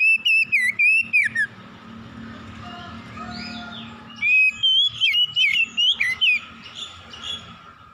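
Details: Magpie-robin morning song, used for reviving stressed birds: bursts of loud slurred whistles, choppy and quickly repeated, separated by a stretch of low background hum and faint notes.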